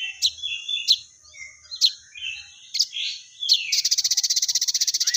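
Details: Crested jay (sogon), a lively singing bird: five sharp high chirps spaced roughly a second apart among softer twitters, then a rapid, steady, buzzy rattle to the end.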